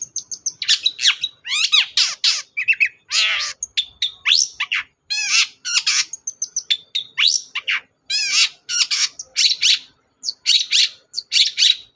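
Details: Long-tailed shrike (cendet) in full varied song, used to provoke a quiet bird to sing: a busy medley of whistles, trills, buzzy rattles and sharp sweeping notes with scarcely a pause.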